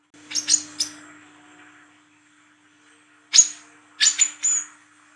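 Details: Olive-backed sunbird, known locally as wiceh trotol, recorded at night in lively ngriwik form: two clusters of sharp, very high chips and short whistled notes, three to four in quick succession, under a faint constant hum.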